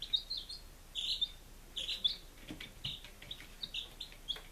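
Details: Domestic chickens five days old, Lunenburg, Massachusetts, July 2017: clear high peeps roughly once a second, each a short level or dipping note, with a few fainter overlapping chirps and light tapping.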